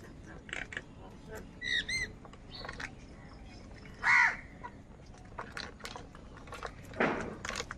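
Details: Many crows searching for food in the morning: harsh caws at about two, four and seven seconds, the loudest near four seconds, over a busy background of other bird chirps and faint voices.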